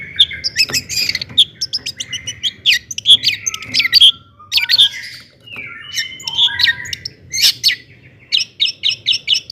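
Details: Long-tailed shrike in energetic 'gacor toet toet' song, used to provoke other shrikes to sing: a busy medley of sharp high chirps, squawky notes and short descending whistles, with brief pauses between bursts.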